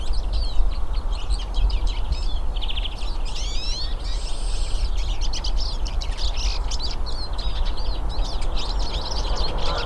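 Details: Several hooded siskins singing in a natural setting, producing continuous high twittering mixed with sweeping, slurred whistled notes and fast chirps over steady low noise.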